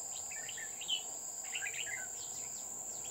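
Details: Red-whiskered bulbul singing as a trapping decoy on Núi An Phú, Chùa Hương, Vietnam, 20 October 2019. Two bursts of rapid bubbly, warbling notes are set against a continuous high-pitched insect whine.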